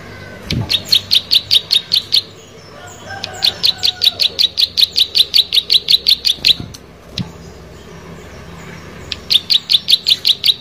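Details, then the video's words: Plain prinia (prenjak sawah) delivering bursts of rapid, buzzy high-pitched notes in three separate runs with short pauses between, alongside a few low thumps. "Prenjak Sawah Gacor"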